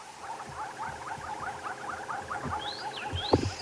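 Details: On a sunrise safari drive on May 16, an oxpecker gives a steady run of short chattering notes, a call that often means a buffalo or hippo is nearby. Thin rising whistles from another bird come near the end, over low thumps and rumbles.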